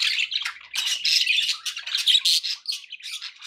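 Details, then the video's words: Pet budgerigars in a busy group chatter, with rapid squeaky chirps and harsh squawks in quick bursts, some notes rising and falling, and brief dips between bursts. "budgie sounds"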